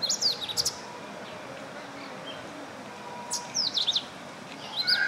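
Indian robin giving two bursts of quick, high chirping notes, one at the start and one after about three seconds, over a faint background hum.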